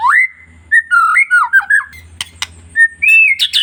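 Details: White-rumped shama of the long-tailed type, its song used to rouse and provoke other shamas: a swooping rising whistle, a run of wavering slurred notes, crisp clicks, then a clear arched whistle ending in a high flourish, with a soft low hum underneath.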